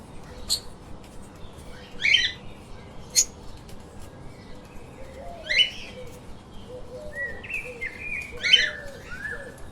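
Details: Lovebirds kept as pets give sharp, clicky chirps at intervals of about two to three seconds, with fainter rising squeaks and a low murmuring note beneath.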